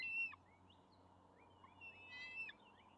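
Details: Young bald eagles at a nest, May 28, 2020, as a fish is delivered. Fainter, short whistled notes sliding upward, then a brief burst of squealing chirps, over a steady low hum.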